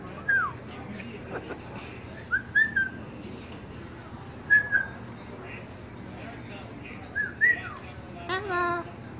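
A cockatoo gives short, clear whistled slurs, rising and falling, in small bursts every second or two. A brief harsh, voice-like sound comes near the end.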